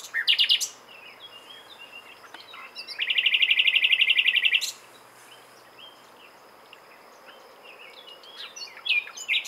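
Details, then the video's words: Common nightingale song: a loud burst of sharp notes, then a fast rattling trill of identical clicks around two seconds long, followed by softer scattered phrases and a final rising flourish. "Słowik rdzawy (Luscinia megarhynchos) śpiew - Nightingale - Die Nachtigall - Le Rossignol philomèle"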